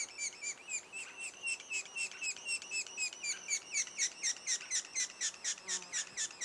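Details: Two days before the first young leave, a sapsucker nest gives repeated down-slurred chirps, later overlapped by harsher, buzzier bursts in quick succession.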